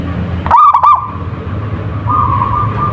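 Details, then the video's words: Wild local zebra dove: a loud, quickly pulsing coo at the start, then a long steady whistled tone, against a low rumbling background. "perkutut lokal gacor / suara merbok suara perkutut merdu"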